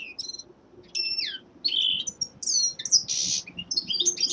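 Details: Young male common linnet singing in winter: quick bursts of bright twittering, slurred high whistles and buzzy notes, broken by short pauses, with one harsh noisy burst near the end and a faint low hum beneath.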